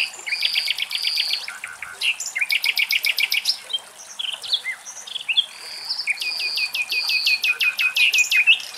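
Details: Common nightingales in Greek countryside; rich, varied song with fast rhythmic rattles of repeated notes, loud whistled series and liquid trills, phrases following each other almost without pause.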